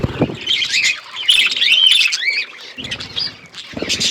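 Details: Outdoor aviary budgerigars chirping together: wavering whistled notes that bend up and down, scratchy chatter, and brief low clattering at the start and end.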